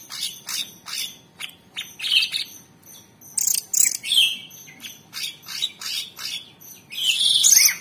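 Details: Master recording of a caged Orange-bellied Leafbird's 'tembakan' song for training other cage birds: spaced high, buzzy bursts mixed with shorter whistled notes dipping lower, delivered in an uneven, chattering rhythm.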